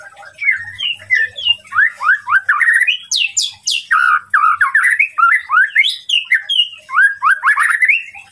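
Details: Shama song played to provoke and agitate a rival. A loud, continuous stream of varied rising and falling whistles mixes with scratchy squawks and sharp high upward sweeps near the middle.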